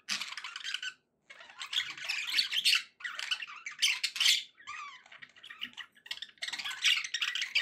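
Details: Indoor pet budgies giving happy sounds, a near-continuous run of scratchy warbled chatter broken by brief gaps, with a few clearer whistled notes midway.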